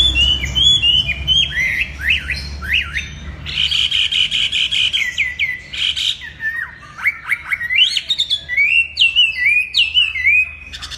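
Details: Chinese hwamei pouring out a rich, warbled song, with repeated ringing whistles, quick rising and falling slurs, and varied phrases that hardly pause for eleven seconds.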